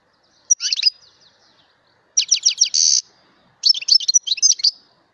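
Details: Song of a mutation European goldfinch in three bursts separated by pauses: liquid, tinkling twitters, a dense buzzy note held for about half a second in the middle burst, and a final fast jangle of high chirps.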